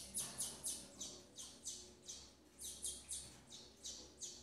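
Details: Female double-collared seedeater feeding chicks in captivity: about a dozen thin, high chirps given singly and in small bunches, over a faint low hum.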